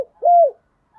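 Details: Spotted dove call used to stir newly caught wild doves into singing in the thổ voice style: a single smooth, low, slightly arched cooing note, with a faint short note after it.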